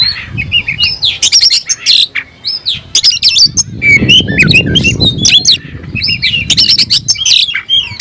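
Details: Excited oriental magpie-robin calling a rival to fight, tail spread: loud varied song of piercing whistles, buzzy scolding notes and rapid chatter, with low rumbling noise in the middle.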